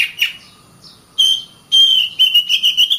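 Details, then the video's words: Oriental magpie-robin (kacer) singing: a sharp high note, a pause, then loud sustained whistled phrases that break into a quick run of pulsed, chattering notes near the end. "Kacer Bird Singing"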